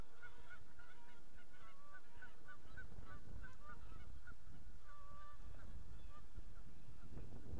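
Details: Geese active on a pond, recorded in the morning of 31 March 2014, giving repeated short nasal honks, several birds calling over one another, with a low rumbling background of wind or water.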